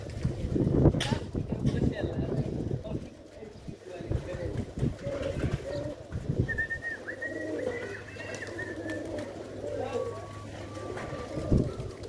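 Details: Pigeons cooing in low, throaty murmurs that rise and fall over a steady low hum, with thin high whistled notes from another bird drifting in around the middle and near the end, plus occasional clicks and knocks.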